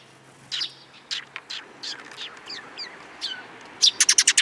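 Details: Several sparrows chirp on 13 April 2022, with irregular high notes through the first seconds, then a fast, loud series of five or six sharp chirps at the close.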